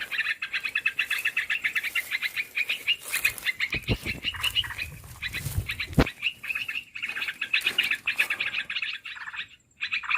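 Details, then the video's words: Chattering Olive-winged bulbul calls used to draw birds into traps: continuous rattling note bursts, with low thumps and rustling noise in the middle and several brief pauses. "SUARA MIKAT BURUNG MERBAH BELUKAR"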